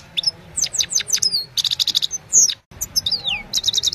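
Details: High, quick goldfinch song from the Himalaya, recorded in the evening by phone: descending slurred notes, a tight run of repeated chips, a short pause, then more twittering and a falling whistle.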